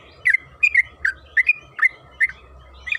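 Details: Brief yellow-vented bulbul (trucukan kebo) lure snippet: six or seven bright, gurgled notes spaced unevenly over three seconds, with a faint constant hum and low background noise.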